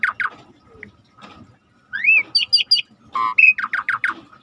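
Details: Rare starling singing over river sounds in a training recording: two falling whistles, a pause with quiet water, then a rising slur, high squeaky notes, buzzy tones and a quick series of descending chirps.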